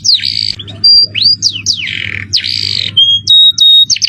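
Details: Masteran recording of a canary with cengkok mewah ornamented song and jerih piercing voice: loud harsh buzzy bursts alternate with falling sweeps and pure high flat whistles near the end, over a soft low hum.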